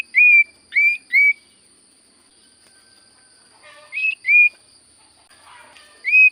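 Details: Common iora in full song: clear whistled notes that each swoop upward then hold steady, delivered in small clusters of two or three with long silent gaps between them.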